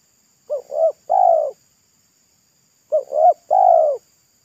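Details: Wild local spotted dove at a roadside, loud full voice said to resemble pesom singing: two three-note phrases, a short coo, a rising second coo and a long slightly falling coo, about two and a half seconds apart.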